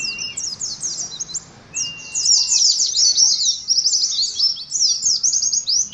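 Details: Oriental white-eye song for conditioning a colony of caged birds: bursts of high twittering, a brief gap, then an intense jumbled stream of sliding chirps with occasional lower whistles.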